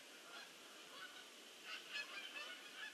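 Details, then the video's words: Geese landing in numbers on 22 October 2015; several distinct honks rise out of a busy flock chorus, louder bursts near the second half. "GEESE LAND MANY GEESE"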